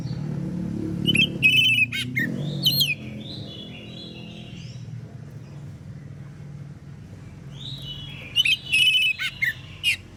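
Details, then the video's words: An Oriental magpie-robin sings boldly in the morning, calling out other magpie-robins to respond. Two separated bursts of ringing whistles and buzzy notes stand out, with softer warbled bird notes and low rumbling noise between them. "KACER gacor NGEPLONG di pagi hari BUAT KACER lain NYAUT"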